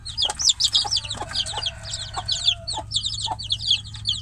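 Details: Caged domestic chicks cry out for their mother hen outside the cage, many overlapping high, piercing downslurred cheeps tumbling together, with occasional lower clucky notes and a faint low hum beneath.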